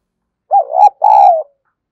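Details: Spotted dove calling in the kích bổi lure style. Two loud, resonant coos: a short wavering phrase followed by a longer, even note that sags gently at its close.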